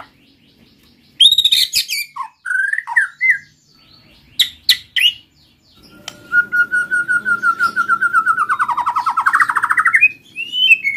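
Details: White-rumped shama song used to prompt other shamas to sing: sharp chattering bursts and descending whistled notes, then a long rapid warbled trill sliding down and rising again near the end.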